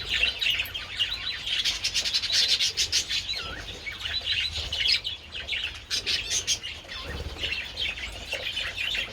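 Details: Several pet budgerigars out in the sun with treats on 27 February, keeping up loud, dense warbling chatter of chirps, clicks and short whistles throughout.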